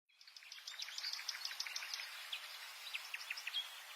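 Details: Subalpine warbler song: a rapid, scratchy chatter of short high notes repeated quickly for several seconds, with faint background hiss.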